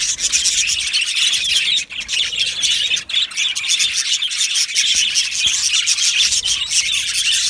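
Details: Australian budgie colony in an aviary: a thick wall of high chirps, squawks and squeaky warbles from many birds, with a couple of brief lulls.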